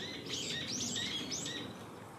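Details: Wild black-faced bunting absorbed in feeding, 2 April 2019: a short burst of high, bright twittering chirps sliding up and down, lasting about a second, against soft outdoor background noise.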